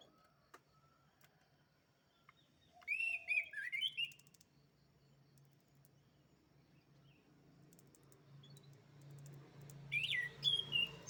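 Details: Canary song in two bursts: a twisting warbled phrase of rising and falling notes near the start, then after quiet background hum a second short bright trill of varied notes.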